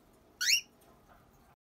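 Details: Newly hatched cockatiel chick, filmed at hatching on 9 March 2018, giving a single short, high, thin squeaky cheep lasting about a fifth of a second, followed by quiet room background.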